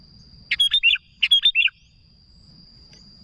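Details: Sooty-headed bulbul calling to others with two loud, liquid phrases of four or five quick warbled notes each, less than a second apart, over a faint steady high tone.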